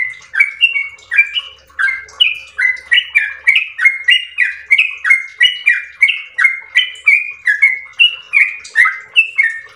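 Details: Lengthy 'ropel' song of an active yellow-vented bulbul: an unbroken stream of about twenty-five quick, rich, slurred notes, each phrase hopping between a lower and a higher whistle, steady and rhythmic throughout, with faint low hum underneath.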